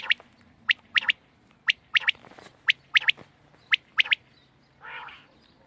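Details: Quail recorded on 31 March 2024, giving sharp, bright clicking notes in quick pairs and triplets, repeated roughly once a second, with a softer low hum underneath and a brief muffled rustle near the end.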